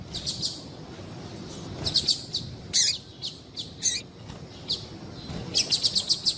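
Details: Female papa-capim seedeater call, used to make males sing: short, high, sharp chirps, single or in quick bursts of four to six, scattered irregularly across the stretch against a quiet background.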